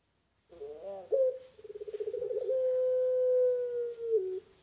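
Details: Captive-bred puter pelung Barbary dove calling: a warbling opening note, then a fast rolling trill that flows into a long, sustained level coo lasting nearly two seconds and dropping briefly at the end.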